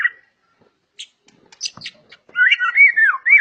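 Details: Murai batu (white-rumped shama) of 'super' stock, known for an aggressive, agile style: scattered soft clicks and ticks, then a burst of loud fluid whistled warbling in the final second.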